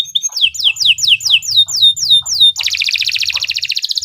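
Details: Canary, singing as a model for other birds: a run of loud falling whistled sweeps repeated about four per second, switching abruptly into a rapid buzzing trill.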